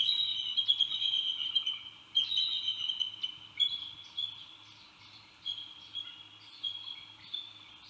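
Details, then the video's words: Bald eagle calling on Santa Cruz Island, 2018: a series of high, thin, piping whistles in quick chattering runs, strongest at the start, then spaced single notes about every second as the calling fades, with faint background hum. "Bielik amerykański Santa Cruz Island"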